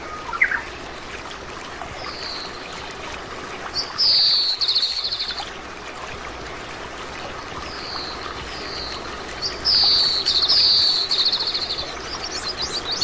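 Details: Oriental greenfinch, a common resident across Korea, uttering short high notes and rapid buzzing trills in bursts every few seconds, against a steady murmur of flowing water.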